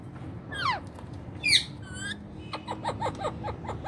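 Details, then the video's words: Talking rose-ringed parakeet kept as a pet and mimicking Urdu/Hindi speech. Two bright descending whistles open, followed by a rapid string of short chirped syllables over steady low background hum. "My best parrot ever speaking in urdu/hindi"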